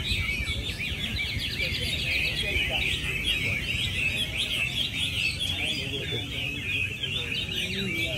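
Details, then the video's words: Contest song of Chinese hwamei at Mỹ Đình, Vietnam, 19 July 2020, where entry 37 won. Fast, chattering series of sharp whistled notes opens the stretch, then continuous varied warbling follows, with a constant undertone of human chatter. "HỘI THI HỌA MI HÓT MĨ ĐÌNH 19/7/2020"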